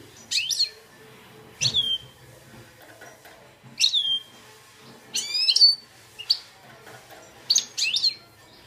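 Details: Caged goldfinch x red siskin hybrid, two years old, kept in Belfast and described as having pure Algerian goldfinch song; high twittering phrases in short bursts separated by pauses, with bright downslurred whistles and faint indoor background hum.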